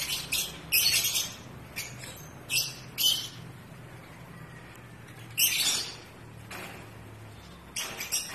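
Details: Shrill squawking chirps from pet African lovebirds during the breeding season, coming in short separate bursts with quiet spells between them and a faint low hum behind.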